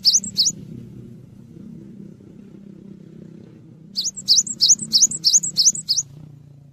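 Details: Cinereous tit singing loud, very high, clipped two-part notes repeated about every third of a second in a steady series, used as a master recording for training songbirds; a low hum underneath.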